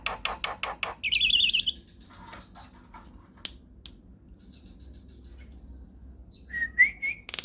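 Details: Captive Nias hill myna calling for a training recording: five sharp, loud notes in quick succession, then a harsh buzzy burst and scattered clucks, ending with a clear rising whistle and a final rasp.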